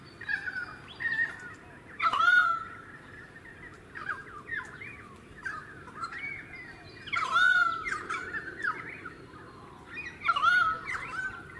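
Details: Pied currawong calling in suburban Sunshine Coast, Queensland, in February 2018: strong ringing, slightly wavering calls about every three to four seconds, mixed with fainter chattering notes and constant low background hum.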